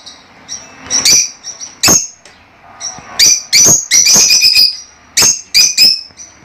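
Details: Lovebirds chattering with loud, shrill, high-pitched chirps, some in quick clusters, over a soft background of quieter twittering.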